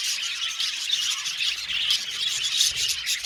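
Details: Budgerigars in an aviary colony, a continuous dense chatter of many overlapping high chirps and warbles with no pauses, steady in loudness throughout.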